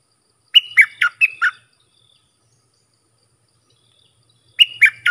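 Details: A bulbul sings to teach young birds and draw in wild birds: a rapid five-note warbled phrase, then three seconds of quiet before the same bright phrase starts again, each note sharply accented.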